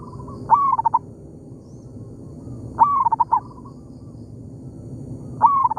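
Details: In an oil palm plantation, a wild local zebra dove answers a decoy: three loud whistled phrases, each sliding up then falling into a rapid broken trill, spaced over two seconds apart, with faint coos between.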